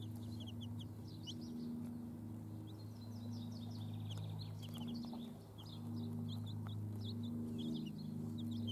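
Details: Busy high peeping from several chicks kept with hens, some notes slurred downward, rising in dense runs over a persistent low engine-like drone.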